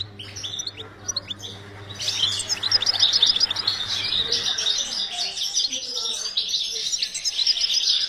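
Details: European goldfinch in a breeding cage during breeding, starting with scattered chirps over a low hum, then bursting into a sustained rapid twittering song of high liquid notes and trills.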